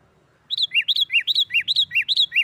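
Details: Loud 'nggaruda' fighting song of a sooty-headed bulbul, used to set off other bulbuls: after a brief silence, crisp arched whistles alternate steadily between two pitches, roughly five pairs in two seconds.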